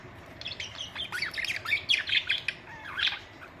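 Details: Pet budgerigars producing a fast, continuous warble of high chirps, squeaks and buzzy notes, densest in the middle, then tapering off.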